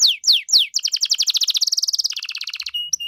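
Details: Lively canary singing its elaborate 'cengkok mewah' song to set other canaries off: three strong downward-sliding whistles, then a long, very rapid trill that drops in pitch partway through and ends with short steady tones.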